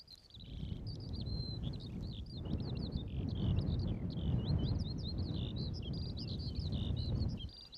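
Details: Eurasian skylark singing over open downland on Ventnor Downs, Isle of Wight, on a sunny day; a continuous stream of high warbled and trilled notes runs throughout, over strong low wind rumble.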